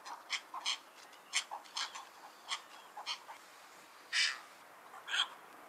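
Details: Cattle egret, locally called Bagula, giving a rapid series of short, harsh, rasping calls, some paired, with two louder and longer croaks near the end; no other sounds stand out.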